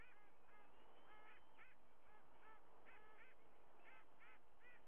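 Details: White-bellied sea eagle at a nest camera in Australia, the mother sheltering her chicks under her wings, August 24, 2022: rapid series of short, nasal, goose-like honks, often paired, about a dozen over five seconds, over a steady background hiss.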